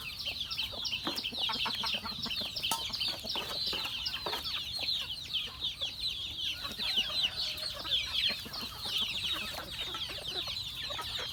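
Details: Farm chickens being fed, calling together as a steady wall of overlapping high peeps and chirps that never pauses, with faint lower clucks underneath.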